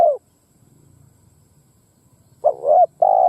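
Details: Spotted dove lure meant to provoke wild doves; a cut-off coo, a stretch of low background rumble, then a wavering note and a long level coo.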